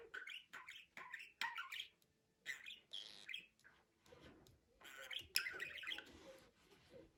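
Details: Budgerigar chatter made of repeated short chirps rising and falling in quick succession, with a brief silence near two seconds, then a noisy, buzzy warbling burst.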